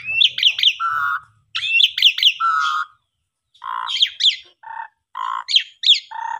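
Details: Asian pied starling in active song, used as a stimulus for silent or sulking starlings. Fast descending whistles and flat buzzy notes come first, then after a pause choppier, harsher short notes alternate with high whistled slurs, with faint low rumbling at the start.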